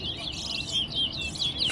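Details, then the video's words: Towa towa bird singing in a head-to-head competition at Guyana National Stadium: clear whistled notes repeated about every half second over crowd noise, while a person counts numbers aloud. "Towa Towa Bird Competition"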